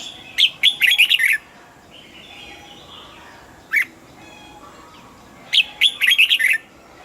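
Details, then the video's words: Red-whiskered bulbul kept in a cage delivers two lively phrases of rapid warbled chirps. A single sharp note falls between them, and soft faint chatter from other birds fills the pauses. "นกปรอดหัวจุก นกปรอดหัวจุก เสียงนกกรงหัวจุก"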